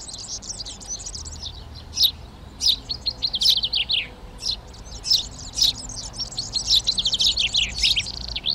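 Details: Eurasian tree sparrows occupying nest boxes in a garden in Přerov, 19 March 2020, chirping almost nonstop with dry, high chips, short twitters and sharper chirps; chaffinch, serin, hawfinch and dunnock sing in the background.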